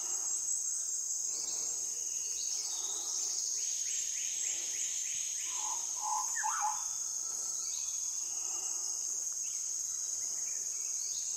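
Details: Andaman shama singing in South Andaman, giving a quick series of sweeping chirps and a brief cluster of low whistled notes midway, with a constant shrill insect buzz behind.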